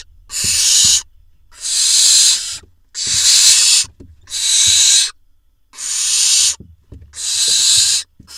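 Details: Nestling barn owls in a nest box in Israel, 21 June 2021, at the moment the male brings a vole eaten by one chick; six loud, harsh hisses, each about a second long, evenly spaced with short silences.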